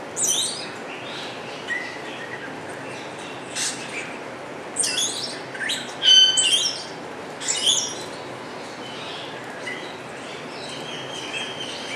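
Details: Wattled starling (Creatophora cinerea) singing at an aviary in Alphen aan den Rijn, Holland: scattered high, squeaky chirps, dry rasps and a brief thin whistle in irregular bursts over a steady faint background hiss.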